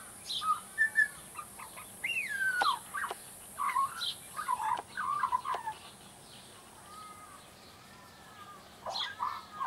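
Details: Juvenile Australian magpie practising its song: scattered warbles and a rising-falling whistled slide, followed by quieter, drawn-out whistles, with occasional sharp clicks and a stretch of near silence.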